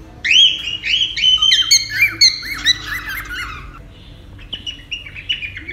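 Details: Cockatiel sounds used in taming a cockatiel: a quick loud series of scratchy, upward-bent squawks and warbling notes for about three seconds, then only faint, sparse chirps against a soft background.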